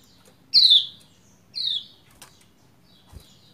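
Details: One female Lombok pleci gives two harsh, falling chirps about a second apart, a call to rouse the male into song; a brief tap and a soft thump follow.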